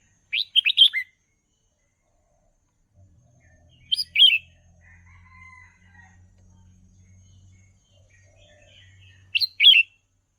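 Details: Caged red-whiskered bulbul singing, recorded for training young birds: three short bright phrases of quick warbled whistles, spaced several seconds apart, with a faint low hum and soft thin notes between them.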